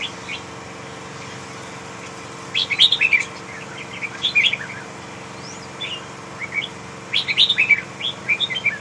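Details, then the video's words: ['Big Huế-type red-whiskered bulbul singing two lively bursts of rapid warbled, chirpy whistles about four and a half seconds apart. Scattered softer notes fall in between, and a constant mechanical hum runs underneath.'] "huế bự con"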